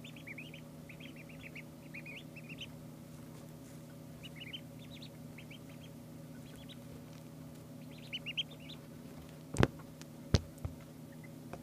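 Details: Two-day-old ducklings peeping in bursts of short, high, upward-flicking notes, clustered in quick runs with pauses between, over a steady low electrical hum; a couple of sharp knocks near the end.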